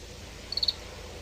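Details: Oriental greenfinch calls from a reference bird-sound library: a quick run of four high, thin chirps rising slightly in emphasis, packed into a quarter second, over a low steady hiss.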